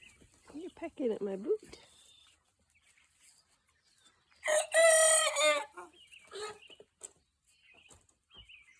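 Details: A young rooster learning to crow gives one short, harsh, raspy crow of about a second. A lower wavering voice comes before it, and faint clucks and rustling follow.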